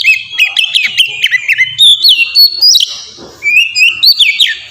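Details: Oriental magpie-robin giving melodious ngeplong song, used to prompt young birds to sing: tumbling whistled notes, smooth rising and falling glides, and a brief dip before more sliding whistles.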